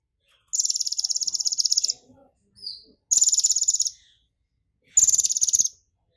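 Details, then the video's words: Three high, shrill insect-like trills from an excited brown-throated sunbird mimicking golden grasshopper song, the first long at over a second, then two shorter bursts of rapid ticking pulses with pauses between. "KONIN GACOR kepancing EMOSI NGOBRA nembak isian BELALANG EMAS (Purple Throated Sunbird)"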